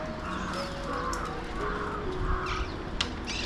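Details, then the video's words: Alexandrine parakeets, also called mountain or Pahadi parrots, watched from a window in Mumbai, India, calling back and forth: a soft, harsh mid-pitched call repeated about every half second over steady background hum. "Deep Conversations... - Alexandrine Parakeets / Mountain / Pahadi Parrots of Mumbai"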